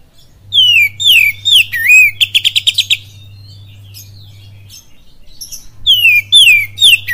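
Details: Oriental magpie-robin (kacer) giving a pancingan lure song in the kapas tembak style, Cililin: loud whistled slurs dropping from high to lower pitch, a rapid burst of about eight clipped notes, a pause, then more falling slurs; steady low electrical hum.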